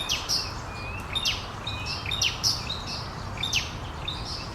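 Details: An immature Cinnamon-chested Bee-eater waiting to be fed by its parents beside the flooded Nairobi River at the start of the rainy season gives sharp, high chirps and short squeaky notes in quick bursts about once a second, over a low steady rumble.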